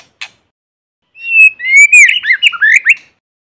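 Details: White-rumped shama singing in forest, a lure bird recorded without background noise: a single click, then a long clear whistle sliding into a quick warbling phrase.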